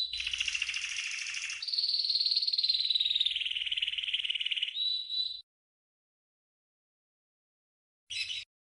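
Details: Green canary training song for teaching other birds: a dense buzzing trill shifting into a long, slightly falling rolled tour, ending with a short whistled phrase, then a brief burst after silence.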